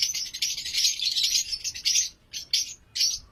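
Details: Lovebirds in a breeding colony on a pairs breeding farm, giving dense, shrill, high-pitched chirps and squeaks that overlap in a continuous chatter, then break into short separate bursts toward the end.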